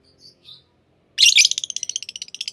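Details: Two soft notes, then a sudden loud, buzzy rattle of fast repeated high pulses from a green pair of Fischer's lovebirds, gradually slowing.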